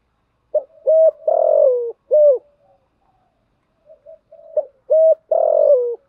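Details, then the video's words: Spotted dove calling as a lure in the thúc gù and gáy gọi styles to excite decoys: two matching phrases of short hoot, steady coo, long falling croo and closing coo, separated by a quiet pause. "Tiếng chim cu gáy mồi giọng lôi cuốn hấp dẫn đủ bài[ THÚC GÙ , GÁY GỌI ]"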